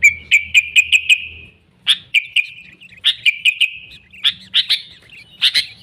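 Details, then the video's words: Sooty-headed bulbul lure song for catching wild birds: a quick run of repeated bright notes sliding down, then clipped chirps and short descending warbled phrases. "Suara Burung Kutilang Gacor ASLI Tanpa isian, Ampuh untuk Pikat Kutilang bikin kutilang Ribut gacor"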